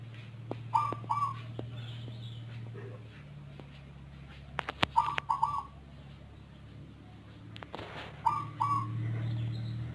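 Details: Zebra dove with a strange voice, different from local and Bangkok doves, often calling in the early morning before dawn: paired coo notes every three to four seconds over a low droning hum and scattered clicks.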